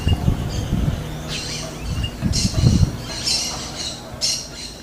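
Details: Smooth-billed Ani in the wild giving harsh, squawking calls about once a second, with low rumbling wind or handling noise throughout.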